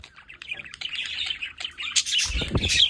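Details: Pet budgerigars at a home window warble in a rapid, grating chatter of squeaks and chirps that grows louder, with a brief low thump near the end.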